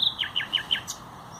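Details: A common nightingale sings on 30 April 2021: a rapid phrase with a high opening note, then four quick, high, downslurred notes at about six per second, and a faint click after.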